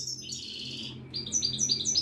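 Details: Moroccan wiidani European goldfinch, a caged bird in a Casablanca bird market, sings a rapid liquid twitter: a descending tinkling run, then a string of quick high bell-like notes repeating several times a second.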